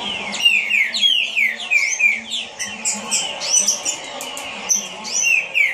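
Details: Green-winged saltator in captivity delivering a speedy song of clear, falling whistled notes in close succession, high chirps from other birds scattered through it, a low hum underneath.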